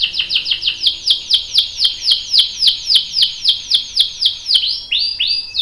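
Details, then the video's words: Lively canary song meant to prompt a male to answer, described as a long roll: steady train of descending whistled chirps, about four per second, ending in a few broader swooping notes. "PANCINGAN KENARI GACOR cuit cuit bikin NYAUT ikutan BUNYI Ngerol panjang | CANARY SINGING"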